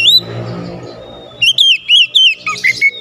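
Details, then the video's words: Oriental magpie-robin singing in challenge to a rival: after a quieter stretch with low background hum, a run of five loud, clear whistled notes, each rising then falling, then shorter chirps. "PANCINGAN KACER LANGSUNG GERTAK LAWAN | LAWAN PUN BALAS GERTAK"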